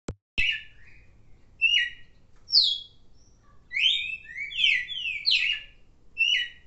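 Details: Red-cowled cardinal (Paroaria dominicana), song.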